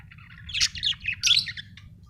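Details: A budgerigar chatters in quick, squeaky chirps and warbled notes that rise and fall in rapid bursts, with a constant low background hum.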